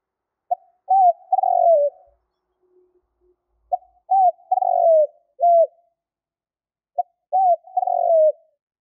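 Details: Lure call of a spotted dove meant to bring wild birds in fast: three close phrases of mellow, low coos, each with a long sliding middle note, repeated roughly every three seconds on a quiet background.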